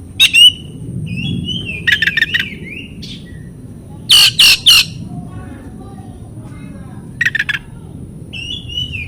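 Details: Oriental magpie-robin song for stimulating stalled or silent birds: scattered short whistles and bursts of three or four harsh rasping notes, separated by quiet gaps with low background rumble.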